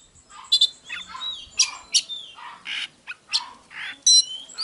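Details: Magpie-robin song of harsh, scratchy notes and a few thin, high whistles, spaced irregularly over soft background hiss; quieter and rougher than a clean recording.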